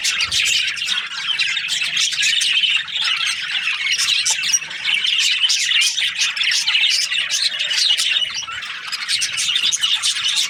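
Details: Budgerigar flock producing constant squeaky chirps and rapid warbles, a dense chattering texture with slight dips in loudness.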